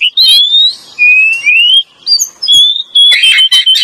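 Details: Oriental magpie-robin lure song from male and female: long drawn-out rising whistles followed by sharper chattering notes and rapid burry phrases, loud and close.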